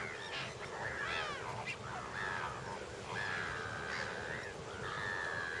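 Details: A flock of lesser flamingos (Phoeniconaias minor) at Lake Nakuru, Kenya, in summer 2011 gives a steady chorus of nasal, honking calls, some rising and falling, over a constant low rumble of wind or water.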